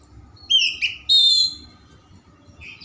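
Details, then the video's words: Singing Oriental magpie-robin (kacer), played to prompt other magpie-robins to sing: two quick sharp whistled notes followed by a long clear high whistle, then a softer note at the end, over a faint low background hum. "kacer gacor suara mewah untuk pancingan kacer lambat panas/on"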